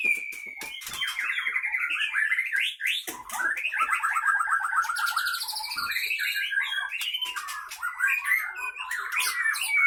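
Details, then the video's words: Captive white-rumped shama of the Aceh Leuser Pining line, from Gayo Lues in Aceh province, singing in fighting mode in its cage. It gives a loud, unbroken stream of sharp whistles, rapid trills and buzzy, varied phrases with long continuous runs. "Murai batu Aceh Leuser Pining CBF ACEH Tempur di kandang"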